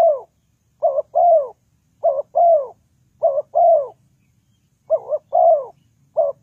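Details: Spotted dove used as a lure for trapping, giving mellow mid-pitched coos: each phrase is a quick double note followed by a longer, downward-sliding coo. About six phrases arrive at uneven intervals over a quiet background.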